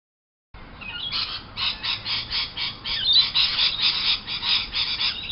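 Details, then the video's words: A chorus of lorikeets outside a window in the morning gives harsh, screechy squawks. The bursts come in rapid, uneven pulses, about two per second, after a brief silent start. "Lorikeet Alarm"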